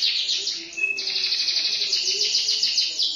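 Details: Canary pouring out a dense high rolling trill, briefly interrupted by a short pure whistle, then resuming steady rapid repeated notes over a faint lower warble.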